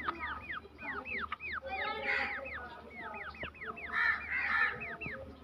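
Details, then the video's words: Several black francolin chicks with a female in a forest, calling steadily: arched, falling whistled peeps repeated many times a second, several birds overlapping, with brief louder clusters of chatter over low background noise. "teetar chicks voice"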